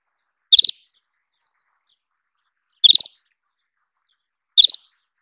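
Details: An Isabelline wheatear repeats a brief clipped chirp three times at uneven intervals of roughly two seconds. Each call is a quick cluster of bright, high notes with a faint low thump, heard in quiet surroundings.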